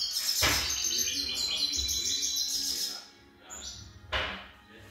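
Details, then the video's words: A young European goldfinch gives a quick, high-pitched twittering song mixed with trills, broken by two sharp knocking sounds, the second near the end, with a quieter stretch just before it. "jilguero novel cante"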